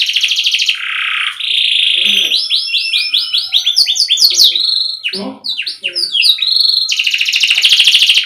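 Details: Tutor song for juvenile or stalled canaries: a buzzy high trill, a lower rolling trill, then quick slurred notes and rapid chips. The song ends on a dense, very high, fast trill with faint low clicks beneath.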